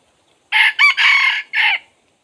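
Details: A red junglefowl used as a decoy to draw in wild junglefowl gives one loud crow in four parts: a short burst, a brief catch, a long harsh stretch, then a clipped ending.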